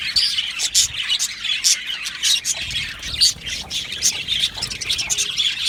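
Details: Budgerigars chirping and singing together in an aviary colony. Bursts of squawky, scratchy chatter rise and fall every second or so over a steady bed of high twittering.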